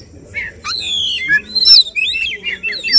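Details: Tembakan song of an Oriental magpie-robin at a singing contest: long descending whistles, then quick rising and falling sweeps and high sharp notes.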